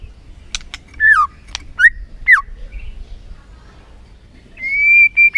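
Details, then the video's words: White-rumped shama song played to provoke a lazy bird into singing; a handful of separate curving whistles with sharp clicks between them, then a long steady whistled note near the end. "PANCINGAN MURAI BATU BONGKAR ISIAN GACOR, MURAI BATU MALAS NAIK EMOSI LANGSUNG BUNYI GACOR."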